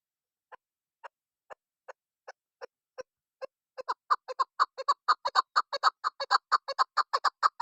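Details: Slow, evenly spaced single chuk notes from a female chukar hunting lure that accelerate after about three seconds into a loud, rapid, continuous clucking chatter.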